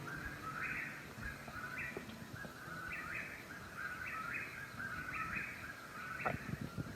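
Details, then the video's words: Eastern whip-poor-will at night at Lake Jocassee, South Carolina, with many birds calling loudly, gives its loud, whistled three-part phrase with a rising end, repeated about once a second over a low rural background. "the bird you were listening to are Eastern whip-poor-will"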